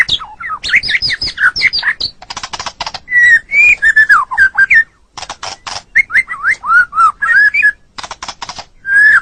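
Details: Caged white-rumped shama, murai batu, singing a long training song: rich whistled phrases rising and falling, mixed with rapid dry rattling bursts and short pauses.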